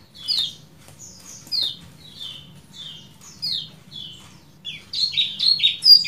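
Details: 'Ciak jos' calls of the lemon-bellied white-eye: evenly spaced, sharp, descending chirps repeated about twice a second, ending in a louder jumble of high notes.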